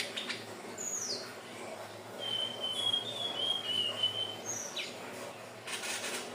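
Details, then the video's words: Hill blue flycatcher song used to lure birds: a long, thin, wavering high whistle lasts about two seconds, framed by short downslurred notes. Brief bursts of rustling noise come near the start and end. "SUARA BURUNG TLEDEKAN BIRU/SIKATAN NINON/SELENDANG BIRU"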